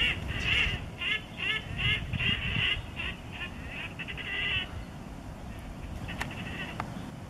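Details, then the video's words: Red-necked Grebe (Podiceps grisegena) at Kissakoski, April 2020, giving a series of nasal, squealing wails, about two per second, breaking into a quicker chatter before a few spaced notes, over low wind rumble. "Härkälinnun (Podiceps grisegena) kaunista laulua"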